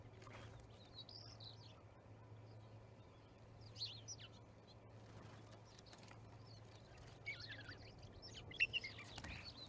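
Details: Starling flock at an osprey nest in Charlo, Montana, recorded 10/07/2019 by a live nest camera: scattered whistled and slurred calls, some sliding downward, with short chirps between them, over a steady low hum.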